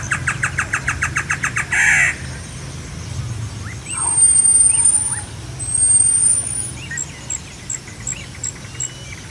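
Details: Great antshrike song: a quick series of clipped notes that accelerates for under two seconds and finishes with a loud rasping snarl. Afterward, other birds give scattered soft calls and high thin whistles over a low background rumble.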